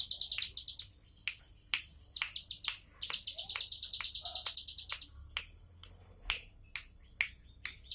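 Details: Bar-winged prinia song of rapid high buzzy notes in bursts, broken by sharp clicking chips and short pauses, with faint insect hum underneath.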